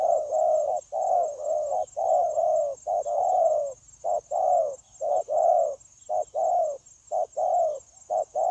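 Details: Spotted dove newly taken from the wild, cooing on and on, 9 January 2024; dense mellow coos, a brief gap near the middle, then more short-long pairs, with background hiss.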